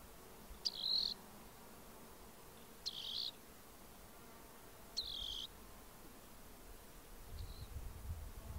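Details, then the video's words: Song of a rock wren (Salpinctes obsoletus), western North America: three clear buzzy trills about two seconds apart, then a faint fourth, with low rumbling noise rising near the end. "Rock Wren Bird Song"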